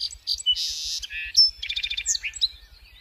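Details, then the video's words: Song sparrow song: a few sharp introductory notes, a broad buzzy phrase, then a rapid even trill of paired notes followed by quick varied chips, all high-pitched and clear, with no other sounds. "Song Sparrow"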